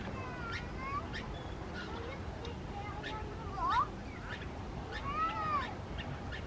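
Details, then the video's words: Common mynas, called Indian mynas, perched high on big palm leaves in Australia, where they are not native, singing: a series of clear whistled notes and rising-falling arched whistles, with a rushing low background rumble. "Indian mynas in a palm tree"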